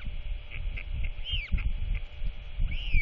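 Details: Royal albatross chick, very chatty as its father arrives at dusk to feed it on 27 March 2024, gives short soft notes, then two longer arching squeals, over steady wind roar.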